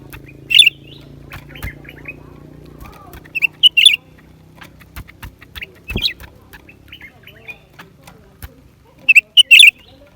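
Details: Short sharp bursts from a lesser green leafbird, spaced several seconds apart, each a bright twittering flourish, over a low steady hum and scattered clicks.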